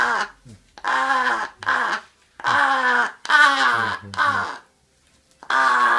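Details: A crow gives rough, drawn-out caws while it calls to be fed, several in a row with a pause near the end, in a small indoor space.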